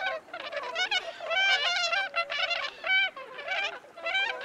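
Bewick's swans calling as a flock: a dense chorus of overlapping nasal, yelping and bugling notes, some rising and falling, with no pause between them.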